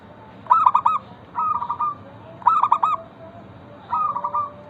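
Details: Local zebra dove, its song meant to get other zebra doves singing: four rippling coo phrases, loud and soft ones alternating about every second.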